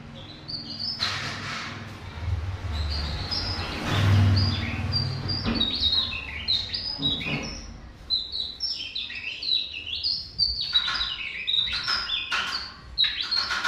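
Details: Tesia singing, recorded as training material for songbirds: bursts of high, sharp whistled notes that step up and down rapidly, broken by brief pauses, over a steady low rumble and occasional knocks.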